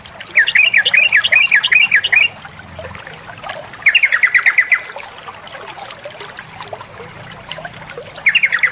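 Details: Sooty-headed bulbul female calling the male with loud, bubbly chattering bursts: a long run of rapid warbled notes, a shorter second run, then a third starting, all over trickling water.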